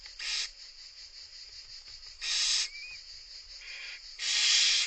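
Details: Barn owl chicks in Italy, part of a national monitoring and conservation project, begging as their mother feeds them after the third chick hatched: three loud, harsh, broadband hissing screeches, each about half a second, with softer rasping hisses between them over a steady background hiss.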